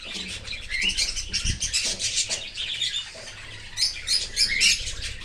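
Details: Cockatiel parent feeding a youngster outside the nest in an open aviary; fast, pulsing, wheezy squeaks repeat several times a second, ending in thinner whistled notes.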